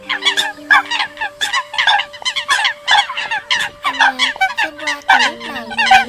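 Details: Eurasian coots on a trapping lure tape, October 2020: loud, rapid, overlapping curt honks packed closely, with steady and gliding lower tones in the background.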